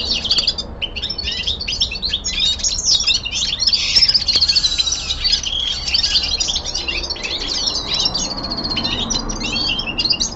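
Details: Common linnet, a caged young male, giving a long winter descant: sustained twittering of rapid chirps, buzzy rolls and brief trills, without a break.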